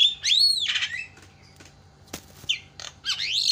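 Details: Javan myna calls played to provoke other mynas into calling: loud harsh screeching notes with a wavering whistled arch, a gap with sharp clicks, then more raspy rising squawks.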